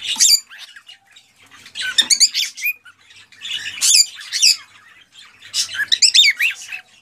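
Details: Excited male cockatiel song aimed at prompting a female to mate and breed, heard as three clusters of loud, harsh squawky warbles with trilled high notes, separated by quieter gaps.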